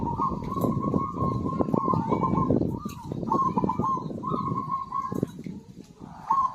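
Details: Zebra dove in full song, used to stimulate birds that have gone quiet: near-continuous vibrating coo phrases run together, with brief breaks, over steady low rumbling and clattering sounds.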